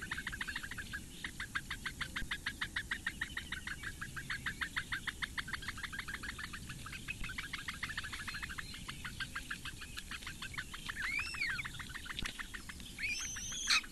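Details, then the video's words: Four great bittern chicks begging at their nest in the Lake Engure reedbeds, Latvia, as the female feeds them at 08:46 on 15 May 2017: a long run of fast ticking notes, followed by rising and falling whistled notes near the end. "Latvian Bittern~Breakfast for the four chicks~"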